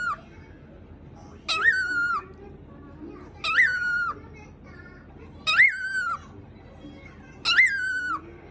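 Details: A pet cockatiel barking indoors after mimicking gargling: four harsh, buzzy calls, each jumping up then holding level for about half a second, repeated regularly every two seconds.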